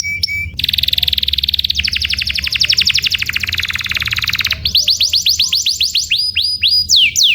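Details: Canary tutor song: a brief whistled note, then extended rapid rattling trills lasting several seconds, ending in a run of repeated rising whistled sweeps.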